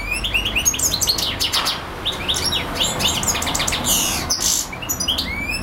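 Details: European goldfinch singing for hours non-stop: a dense, fast stream of bright twittering notes, high tinkling chirps and short buzzy trills without pause, with a faint low background hum.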